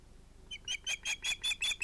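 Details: Sharp, high, repeated chirps from an osprey, about five per second, given at the nest as fish arrives at sunset on 11 August 2018.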